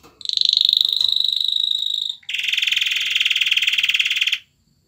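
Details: Courting male canary urging a female to mate: a sustained high, clear, rapidly repeated whistled roll, then a broad, loud, buzzy pulsing trill of about two seconds.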